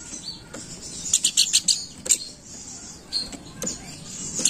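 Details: Lure call of the Planduk Bukit: a short burst of five rapid high chirps, followed by scattered single sharp notes, with a soft continuous low background rumble.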